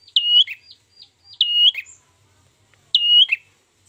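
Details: Lure song of an ashy tailorbird for trapping: three loud, piercing, whistled phrases, each a level high note that drops into a short lower flick, with a faint note between them and near silence otherwise.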